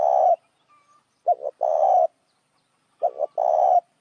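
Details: Lure call of a spotted dove: a mellow coo followed by paired short notes and a drawn-out warbling coo, the pattern repeated roughly every two seconds in a quiet setting.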